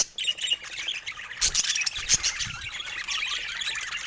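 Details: Budgerigars give a stream of high squawks and twittering chirps, with a few sharp bright notes standing out above steady warbling chatter.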